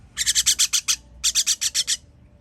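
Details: Baby birds at feeding time, 21.06.23: two loud, rapid series of about seven raspy, hissing pulses each, separated by a short gap, with little else audible.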